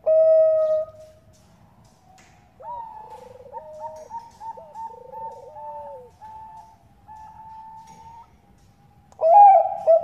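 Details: Female Bangkok zebra dove calling a male as a lure: a loud opening coo, then high whistled notes running over lower buzzy trills that slide downward, ending in another strong burst of cooing.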